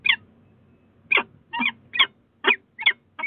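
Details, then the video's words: Peregrine falcons at a nest box on Sussex Heights, Brighton, 22 February 2018, in a late conversation: harsh, rasping calls repeated about every half second, each a short grating note with a fainter hoarse tail. "Peregrine Falcon Late Conversation"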